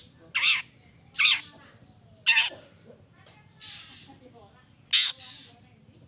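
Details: Long-tailed shrike giving harsh calls meant to provoke rival shrikes to answer: three loud rasping squawks close together, then a hissy rustle and one more short screech, over a steady low hum.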